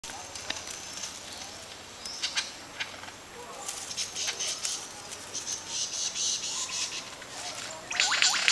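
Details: A lyrebird singing and dancing on a Katoomba forest walk in January 2013 gives a rapid, varied stream of high chirps, clicks and short whistles, ending in bright rising sweeps, with insects buzzing faintly behind.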